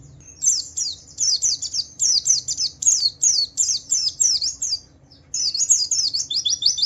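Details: Javan white-eye in 'wiklus wiksar' ngalas song used to coax other white-eyes into singing: strings of bright, high downslurred chirps in steady pulses, a half-second pause near five seconds, then faster twittering resumes.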